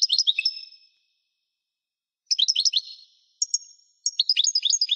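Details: Caged European goldfinch song: quick tinkling twitters and a sustained thin whistle, delivered in three separate bursts with silent gaps between them.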